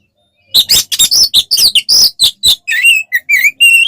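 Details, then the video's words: Oriental magpie-robin (kacer) in fighting song to provoke other birds; after a moment of silence, rapid harsh chattering bursts give way to several pure rising and falling whistled notes. "SUARA BURUNG kacer gacor NGEPLONG TARUNG konslet paling AMPUH buat PANCINGAN KACER agar EMOSI"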